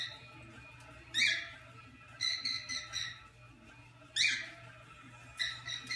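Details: A pet female cockatiel gives harsh, screechy calls broken up by shorter chattering notes.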